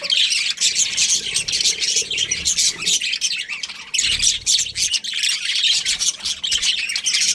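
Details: Steady, loud chattering of a budgie breeding pair, a thick wash of high, rapid chirps and warbled notes with a brief lull just before the fourth second.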